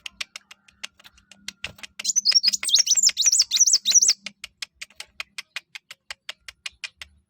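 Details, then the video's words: Brown-throated sunbird song played to set other birds singing: sharp ticking clicks repeated several times a second, broken by a two-second burst of high, looping, rapidly slurred whistles, then clicks again. "kuwul atau kolibri wulung/mucang gacor. buat burung lain pasti ikut gacor"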